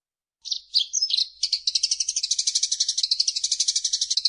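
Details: Eurasian tree sparrow in a training recording: a few sharp, varied chirps open the phrase, then it runs into a long, even, rapid chatter of high notes.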